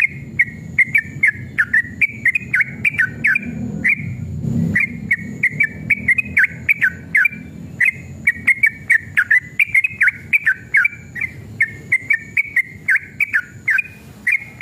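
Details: Aggressive male sooty-headed bulbul in full song, recorded to stimulate other bulbuls to sing: continuous chain of bright, bubbly whistled phrases with dips and rises, over a low rumbling background swelling around the middle.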